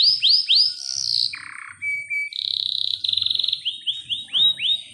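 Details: Canary song played as a lure to stimulate singing and mating, a long-roll master song: fast upswept whistled notes, a buzzy block, then sustained rapid rolls and repeated rising chirps, with a faint low hum beneath.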